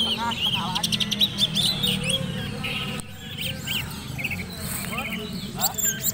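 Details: Oriental magpie-robin entered in a singing competition, a lower-ranked bird ready to compete in the black-and-white class: a varied run of sharp whistled notes, rapid buzzy trills and chattering phrases, with low crowd murmur and some talk behind.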